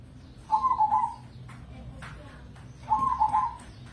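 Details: Perkutut crossing, a zebra dove kept for song contests in Indonesia, utters two gentle rippling coo phrases with rapid rolled notes, about 2.4 seconds apart, with a low rumble behind.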